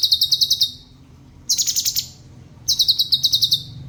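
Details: Black-crested bulbul recorded as a tutor for other songbirds: three rapid high trills in a row, the middle one harsher and more rasping, with short quiet gaps between.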